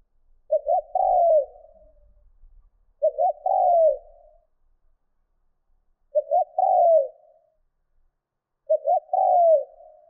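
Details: Trained decoy spotted dove giving 'thúc'-style coos to stir wild birds: four even phrases, each two clipped notes then a drawn-out descending coo, repeating roughly every two and a half seconds against a quiet background.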